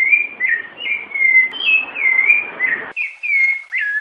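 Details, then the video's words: Rufous-bellied thrush singing the 'piedade senhor' song style, accompanied by female calls; a steady run of clear, high whistled phrases, slurred up and down and linked almost without pause, with a brief break near the three-second mark. "SABIÁ LARANJEIRA CANTO PIEDADE SENHOR COM PIADOS DE FÊMEA"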